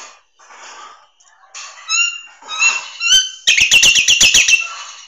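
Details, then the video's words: ['Nias hill myna song from a tutor recording for training songbirds: soft rough notes, then clear whistled harmonic notes, finishing in a fast series of loud sharp clicking notes, about nine in a second.'] "Masteran Terbaik Jalak Nias"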